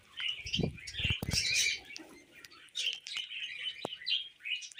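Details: Tame budgies give softer twittering and scattered sharp chirps amid rustling, a few low knocks and clicks early on, then quieter chatter.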